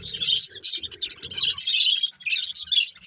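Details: Budgerigar breeding pair chirping: dense, scratchy high warbled chatter in quick bursts, with a soft low buzzy rumble underneath during the first half.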